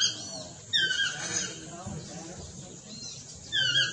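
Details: Chestnut-mandibled toucan giving a loud falling yelp, then a quiet gap with faint background noise, then another yelp of the same shape near the end.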